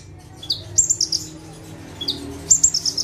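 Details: Bar-winged prinia, locally ciblek, singing in full bursts from one perch; each phrase opens with a lower chirp and runs into a fast, bright string of high chirps, twice in three seconds.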